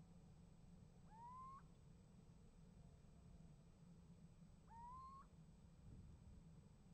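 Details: Pair of drawn-out, upward-sliding mewing calls about three and a half seconds apart, a little owl calling and receiving an answer near a nest box in winter, with steady low rumble.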